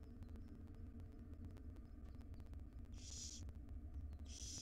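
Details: Barn owl owlets in a wild nest box, five of them, hiss loudly as their mother feeds them breakfast; two broad rasping screeches near the end, with a steady background hum and ticking.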